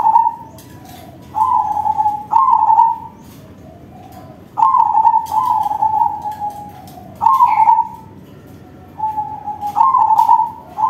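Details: Crossbred zebra dove (perkutut crossing) singing with a big voice: mellow, rolling trilled coos near one pitch, bursts of about a second spaced irregularly, with soft fading tails and faint clicks in the background.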